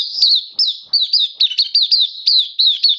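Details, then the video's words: Caged Oriental white-eye singing, recorded 27 October 2022: a quick run of high, sweeping whistled notes, each dipping then rising, delivered in short bursts roughly three times a second in a quiet room. "Mata Puteh Kitaro Buka Sing"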